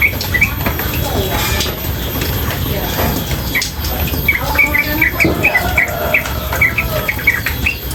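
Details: Female yellow-vented bulbul calling in rapid nonstop bursts: after a quieter start, clipped chirps come in a fast run in the second half, above rushing water and a low background rumble.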